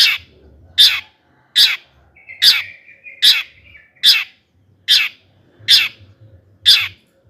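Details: Long-tailed shrike calling loudly to provoke other shrikes to sing: harsh, rasping 'toet' notes repeated roughly every 0.8 seconds, with a brief thin whistle between some notes.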